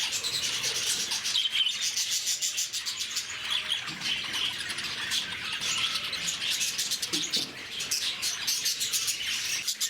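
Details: Noisy lovebirds in Bannerghatta Zoo, Bangalore, call in a thick, unbroken chorus of shrill chirps and rapid, scratchy twitters, many birds overlapping at a steady high pitch.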